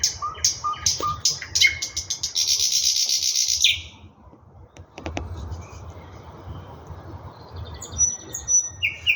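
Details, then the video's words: Singing thrush nightingale, Russia: quick sharp repeated notes build into a long dense buzzing rattle, then a pause before thin high whistles resume; low rumble underneath. "Nightingale singing Russian соловей восточный"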